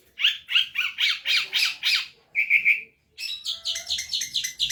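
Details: Long-tailed shrike in a gacor cendet tutor recording: a run of harsh, rising rasping notes, a short buzzy trill, a pause, then a rapid series of bright chattering notes.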